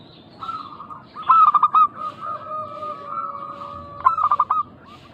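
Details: Local zebra dove cooing used to lure other doves into answering. Two loud bursts of quick stuttering notes are joined by a long run of soft, even coos, with a lower sustained tone underneath.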